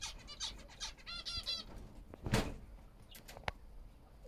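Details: European greenfinch from a breeding pair in an aviary: a quick twittering run of about a dozen bright, bouncing notes over a second and a half, followed by a burst of wing flapping and a few sharp clicks.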